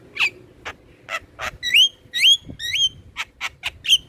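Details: Song of the black-winged myna, used to get captive birds singing, with noisy rasping bursts alternating with loud wavering upslurred whistles, roughly two notes per second.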